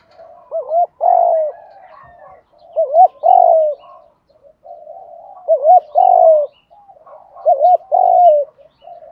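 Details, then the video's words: Spotted doves, male and female, cooing to rouse and train decoy doves: a quick bouncy double note followed by a longer, slightly falling coo, the phrase repeated four times about every two and a half seconds, with softer coos between. "tiếng chim cu gáy thúc đấu luyện cu gáy mồi gáy theo"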